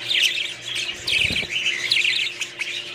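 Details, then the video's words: Budgerigars chattering, with quick chirps and squawky warbles clustered high in pitch, broken by brief pauses, over a steady low hum and a short low thud near the middle. "budgies parrots"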